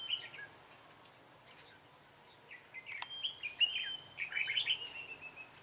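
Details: Red-whiskered bulbul of the dark-bibbed type during bird trapping on 28 February 2017: short warbled phrases around the middle pitch, with a sharp click midway, thin high whistled slurs from other birds, and a faint low hum.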